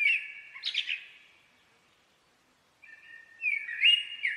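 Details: Blackbird song: a whistled phrase ends in a brief squeaky flourish, then comes a quiet gap, then a new mellow, wavering fluted phrase. The background is clean and silent.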